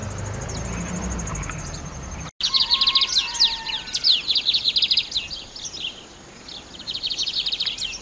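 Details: Lined seedeater singing: after a short break, fast buzzy trilled phrases of rapid repeated notes, high-pitched, interspersed with sharp upslurred chips, continuing in bursts; steady background hiss.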